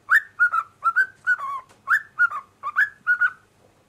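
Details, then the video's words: Cockatiel kept as a pet, singing with its owners: short whistled phrases of paired notes, some slurring downward, others rising sharply, separated by brief gaps, and fading out at the close. "Ninfa canta con amos"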